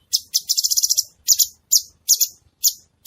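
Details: Gacor cucak cungkok bulbul: hissy, very high chattering phrases and single downslurred notes, delivered in quick irregular bursts over a few seconds.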